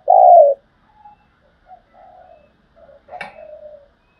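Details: Spotted dove used as a decoy bird, calling to lure wild doves for trapping; one loud, low, mellow coo, then a run of softer, shorter hooting notes and a brief click near the end, in a quiet setting.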